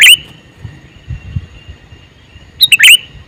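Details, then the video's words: Male sooty-headed bulbul calling: a short burst of bright chirped notes at the start, a long quiet pause with faint low rumble, then a second quick cluster of sharp, bubbly chirps near the end. "Suara Burung Kutilang Jantan MeManggil"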